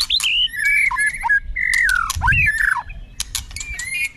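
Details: White-rumped shama flicking its tail on the perch floor while delivering a long, continuous song with shifting voices: loud, clear whistled phrases that slide down and then up, mixed with sharp chips and rapid twittering notes.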